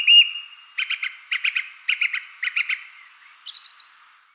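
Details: Woodland song thrush: a short three-note phrase, delivered in rapid clipped pulses, sung four times in a row with brief pauses. Then a higher, faster phrase of thin notes, over a faint steady whistle-like hum.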